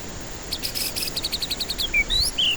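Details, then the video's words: Lure recording of white-rumped shama song for stressed birds that won't sing: a fast, even series of buzzy clicking pulses, followed by a few bright rising and falling whistled slurs. "Pancingan murai batu ampuh cocok untuk pancingan murai batu stres malas bunyi"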